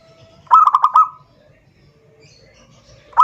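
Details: Zebra dove calling a rival: a single quick stuttering phrase of about five mellow coos, followed by near silence and the start of another note at the end.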